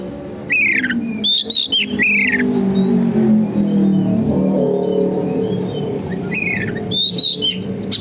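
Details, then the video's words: Oriental magpie-robin in nonstop song used as a tail-opening lure: loud, downward-slurred whistles and sharp chirps in clusters, a quieter stretch with a low droning hum, then more whistled phrases. "burung kacer gacor konslet,pancingan agar kacer buka ekor"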